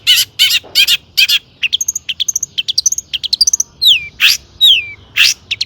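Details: Long-tailed shrike song full of imitated phrases, used to make other shrikes call: harsh rasping notes, then quick thin twittering chirps, followed by loud downslurred whistles.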